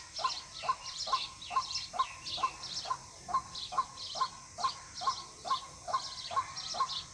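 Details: Regular, evenly spaced short notes from a white-breasted waterhen, about two per second, used to lure birds for hunting, while other small birds chirp high and continuously in the background.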